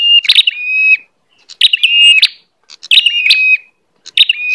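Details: Bar-winged prinia lure call: high, sharp notes ending in a steady whistled tone, repeated about every second and a half, used to attract wild prinias in rice fields, dry fields, gardens or forest.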